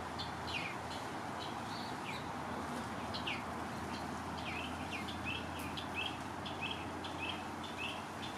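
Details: Western bluebird being hand-fed, giving short soft chirps repeated in quick, uneven series, some notes slurring downward, over a steady low background hum.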